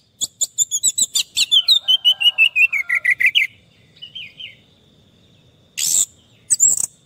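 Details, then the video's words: Orange-headed thrush song used as therapy for stressed birds that have stopped singing: a rapid train of crisp chips running into descending looping whistles, a short whistled phrase, then two loud bursts. "Terapi Anis merah stres dan macet bunyi"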